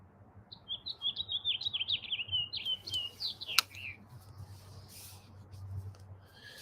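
Anna's hummingbird giving a rapid run of thin, high, scratchy chips and squeaky notes for about three seconds, with a sharp click and soft outdoor background noise.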